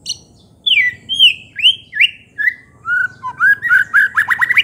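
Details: White-rumped shama in full song meant to provoke rival shamas: five loud slurred whistles about half a second apart, then lower mellow notes speeding into a rapid, buzzy, chattering flourish.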